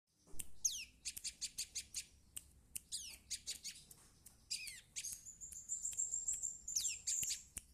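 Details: Young prinia learning to sing: scattered sharp high chips and clicks with quick descending sweeps, bursts of rapid ticking, and a thin high whistle held near the end.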